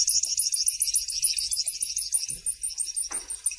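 A saffron finch gives a high, fast, unbroken run of bright chirps and twitters, about three notes a second, with a soft thump and a brief rustle near the end.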